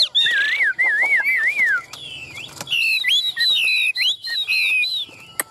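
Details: Tame caged Chinese hwamei with yellow bill and legs, tail fanned and wings held high, sings loud whistled phrases: wavy rising-and-falling slurs, then bright varied notes higher up, with short pauses between bursts.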